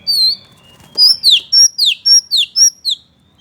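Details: Oriental magpie-robin singing to provoke another male into anger: after a brief opening whistle, a run of about eight loud, clear, down-slurred whistled notes repeated rapidly, roughly four per second, with a quiet background.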